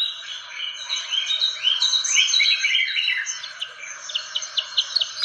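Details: Fantail lure call with a dense warbled chatter of overlapping high notes, giving way to a rapid series of short, evenly spaced ticks near the end.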